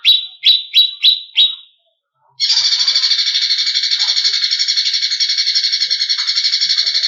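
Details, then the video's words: Greater green leafbird song, used as bait to excite competition birds: five quick, sharp falling chips, a brief pause, then a long, dense, buzzy rattling trill that runs steadily to the end. "Pancingan Cucak Cungkok Emosi ~ Masteran Burung Lomba"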